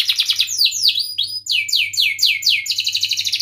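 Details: Canary singing as a prompt for other canaries, with short trills, deep swooping whistles, a string of repeated downward-slurred notes and a closing fast trill.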